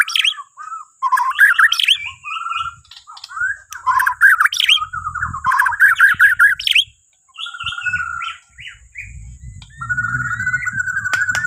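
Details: Borneo white-rumped shama song meant to coax other birds into singing in the morning: long varied sequence of whistles, rapid trills and chattering runs, with steady sustained whistled notes later and faint low rumbling underneath.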